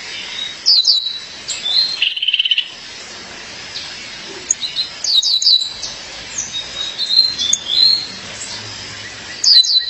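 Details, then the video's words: Female violaceous euphonia calling to her mate: bright high chip clusters, a buzzy rattled trill early on, scattered thin notes, and more chip bursts spaced several seconds apart. "Fêmea de Guriatã, chamado seu parceiro."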